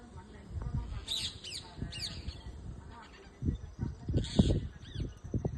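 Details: Parrots calling from a moringa tree in a backyard: a few short, arched, scratchy notes in two small clusters, over heavy low thumping and rumbling background noise.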